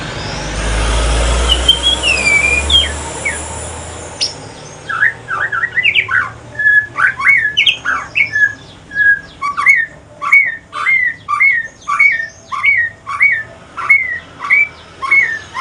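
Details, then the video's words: Evening song of a male Aceh white-rumped shama turning into pastol style: a few whistles through strong hiss and low rumble, then a long, very regular series of upslurred whistled notes, almost two per second. "Kicauan sore hari murai mutasi ke pastol si paling cerewet"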